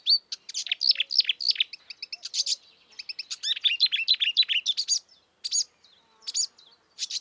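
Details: Marsh warbler singing in the wild, a lively, dense run of varied twittering and sweeping notes with quick chips, briefly pausing then resuming in short bursts.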